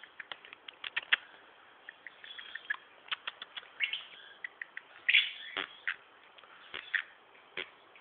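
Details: Pet male pied cockatiel chattering away as he habitually does: rapid bursts of short, bright chirps and clicks with brief scratchy warbles, coming in quick irregular clusters throughout with only short pauses.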